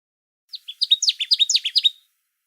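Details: Connecticut Warbler song, North America: a loud burst of about a dozen high, uneven, percussive notes in under two seconds, more uneven and emphatic than the smoother, melodic Common Yellowthroat song; no other sounds.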